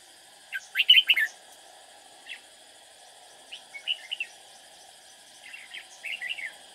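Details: Red-whiskered bulbul decoy bird, described as lively and quick to sing, used for trapping to lure rivals. It gives three bursts of bright, warbling chirped phrases over a steady high insect-like drone, with faint downslurred chirps behind.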